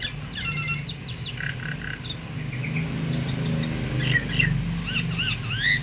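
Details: Myna calls said to set other mynas, even silent ones, singing: bright whistled and chattering notes, some rising or bending upward, in rapid bursts over a steady low rumble of passing traffic.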